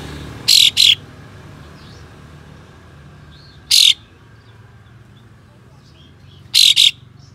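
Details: White-shouldered triller opening its tail and giving coarse, sharp besetan shots to bait other trillers: a rasping double burst, a single buzzy burst three seconds later, then another double burst, faint chirps scattered between.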